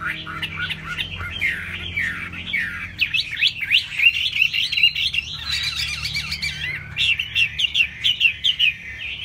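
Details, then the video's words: Long burst of high laughingthrush song as the bird flicks its broad tail: dense, chattering warbles and twittering slurs, rising in intensity midway, then breaking into quick pulsed phrases near the end. "Hót cao cầu đập đuôi khướu"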